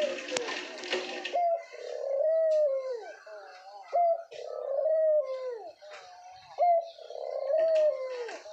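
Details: A male diamond dove in a kept pair about four years old coos in soft, mellow, drawn-out notes that swell and slide down, repeating every two to three seconds; the female calls less clearly. Brief clatter at the start.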